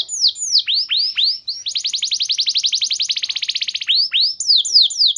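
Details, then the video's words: Canary singing to trigger other canaries: falling whistled notes lead into a long, even, rapid trill of about two seconds, followed by more downward-sweeping whistles. "Ampuh Memancing Burung Kenari Lain!Bikin Gacor Auto Emosi Nembak Panjang Kenari Mana Saja Dengan Ini"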